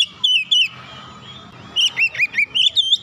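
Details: An Oriental magpie-robin (kacer), stirred up and singing in agitation. Two clear whistles open the passage, followed by a lull with soft background noise, then a quick series of looping, bouncing whistled notes.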